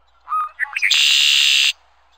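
A red-winged blackbird gives a few short clucking, gurgling notes, then a harsh, buzzy, rattling trill lasting almost a second.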